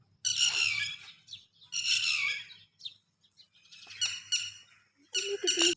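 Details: A red-wattled lapwing protecting its chicks gives four strident, harsh bursts of quick repeated notes spread evenly across the recording, with a faint low hum beneath.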